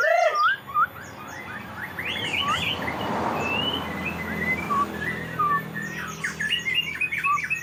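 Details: Magpie-robin in a sulking mood: scattered short whistles, some rising and some falling, spread across the clip over a steady background hum with faint chirps.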